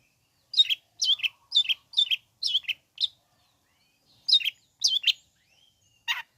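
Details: Long-tailed shrike singing, played to provoke other shrikes into answering: a string of short, sharp, downslurred chip phrases repeated roughly every half second, a pause, then further similar phrases.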